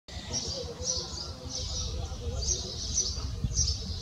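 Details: Iberian magpie fledgling, one of two that have left the nest and dropped to the ground, screaming after a fright as adults rush to help; harsh, buzzy high calls repeated irregularly over steady low background rumble.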